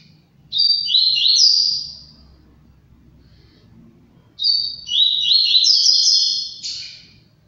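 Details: Song of a captive-bred Double-collared seedeater (coleiro) in Brazil: two strong, sweet, high whistled phrases of fast slurred notes rising and falling, separated by a pause of about two seconds, faint low background hum.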